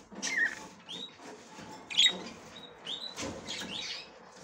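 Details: Female budgerigar ready to breed, trying to get into the nest for the first time. Short whistled notes that slide up, repeated a few times, mixed with scratchy rustling and soft background noise.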